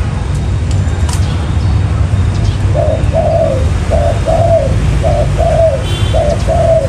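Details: Trapping lure of spotted dove calls in 'mailai' style; after nearly three seconds of low droning noise, a run of gentle paired coos begins, short note then drawn-out rolling note, repeated evenly.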